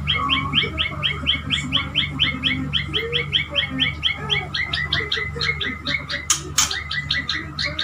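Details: A pet male white-rumped shama courts a female with a long run of short, sharp chipping notes, about two each second, steady and even, over a constant low hum, with two brief clicks near the end.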